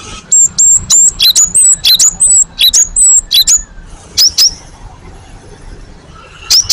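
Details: Gelatik batu, or cinereous tit, in a lure recording for drawing replies. A rapid string of clear, high whistled notes, some level and some dipping, is followed by two short paired chirps and a final high note.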